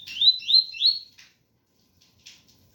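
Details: Three ringing upslurred whistles in fast sequence from a double-collared seedeater, pure tui-tui song, followed by a few drops of rain.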